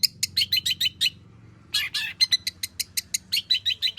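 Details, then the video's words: Long-tailed shrike singing actively, its song filled with fill-in material, played as a lure for other shrikes. A rapid string of bright, chippy notes, a short pause and a harsh rasp, then quick high whistled chips in steady succession. "burung cendet gacor FULL ISIAN pancingan Cendet AGAR BUNYI Cendet Bongkar Materi"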